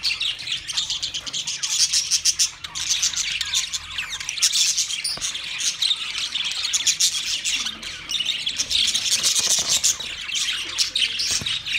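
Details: Chorus of twenty budgerigar pairs: continuous high-pitched chattering, buzzy warbling and short squawks from many birds at once, steady and busy for the whole stretch.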